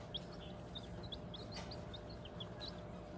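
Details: Bantam baby chicks kept on a hobby farm peep continually: many short, high, thin notes, several each second, over a constant low mechanical hum.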